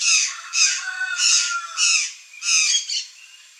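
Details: Buff-throated Saltator (Saltator maximus) in a backyard with fruit, giving five harsh, raspy squawks, each about half a second long, at an uneven pace of roughly one per second, with no other clear sounds.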